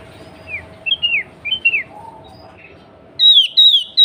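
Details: Female sooty-headed bulbul calling the male, meant to provoke bulbuls to sing: soft chirping notes, then two loud, drawn-out downward whistles near the end.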